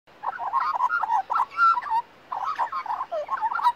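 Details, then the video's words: A young Australian magpie, raised as a chick with a family for a season, sings in a garden beside a resting person: two rich, warbling phrases of fluting, gurgling notes, each under two seconds, separated by a brief pause. "Australian Magpie Singing"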